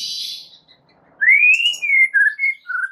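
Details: White-rumped shama song used to lure other shamas: after a hiss, a rising whistle swells and then breaks into several short falling whistled notes.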